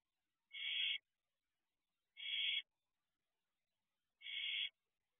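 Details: Barn owl owlet in a nest box at 4:06 am on 1 June 2023, during a wing display: three harsh, hissing screech bursts, each about half a second, spaced nearly two seconds apart, in otherwise silent night air.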